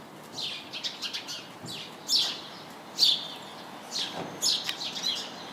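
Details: House sparrows chirping noisily in a bush: loud, clipped, downward chirps in irregular groups, with a few strong single notes standing out.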